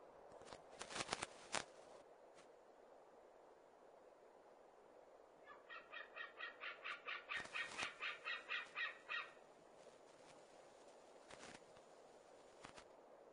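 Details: Eagle calling close to the nest early in the morning in the Smola Islands, Norway, on 9 September 2017, while an adult female rests nearby: a run of about fourteen evenly spaced sharp yelping notes, with scattered clicks and knocks before and after.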